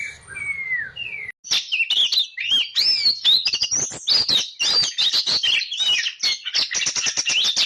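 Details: Oriental magpie-robin in lively full song: a few drawn-out whistles, then a fast dense run of sharp chirps, trills and varied high whistled notes.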